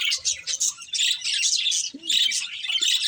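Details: Budgerigar breeding pair chattering in a rapid run of high, buzzy chirps and scratchy warbles, the sound continuous with slight dips, plus a faint low squeak near the end.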